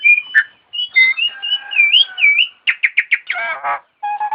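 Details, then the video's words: Melodious song from a starling: wavering, warbled whistles run into a series of quick, sharp chirps, then a burst of harsh buzzy notes and steady, low-pitched tones at the end. "Burung jalak nggacor merdu"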